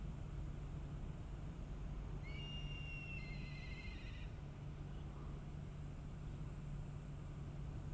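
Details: Black kite (Milvus migrans migrans) at Kamogawa Fishing Port, Chiba Prefecture, Japan, gives one high, thin whistle that drops into a quavering, wavering tail, over a steady low rumble like distant traffic or wind.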